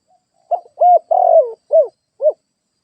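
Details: Spotted dove kept as a lure bird to draw in wild doves, giving one cooing phrase of five low hollow notes. The longer third note is rough and falls in pitch, and the phrase ends on two short rounded coos. The background is silent.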